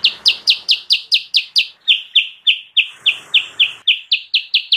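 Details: Lure recording of sooty-headed bulbul for attracting wild birds: steady series of bright, clipped chirps, roughly four each second, dropping slightly in pitch midway, with a faint hiss briefly behind.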